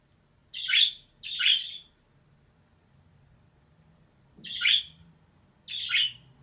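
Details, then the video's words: Female budgerigar giving paired, rough, buzzy chirps, two close together, a pause of over two seconds, then two more spaced notes, with a soft background hum. "DİŞİ MUHABBET KUŞU SESİ"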